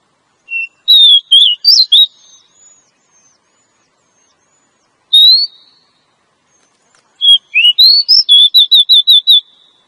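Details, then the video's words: Female Oriental magpie-robin calling to draw in a male, used for luring wild males in forest: short bursts of sweet whistled notes separated by silence, ending in a rapid, even run of about eight short whistles. "Suara Burung Kacer Betina Ampuh pikat Penjantannya"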